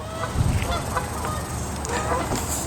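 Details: Canada geese in Regina, Saskatchewan, Canada give a series of short, nasal honks, about five in under three seconds, over a steady low rumble of wind or traffic.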